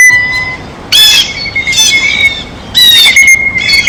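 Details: Blue jay at a feeder while eating: three loud groups of harsh, buzzy squawks separated by quieter stretches, a steady faint high whistle underneath throughout.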